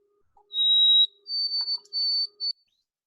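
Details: A White-throated Sparrow gives clear, pure whistles, the "oh sweet canada canada" song: one long steady note, then a higher held note broken into short wavering pieces, over a faint low hum.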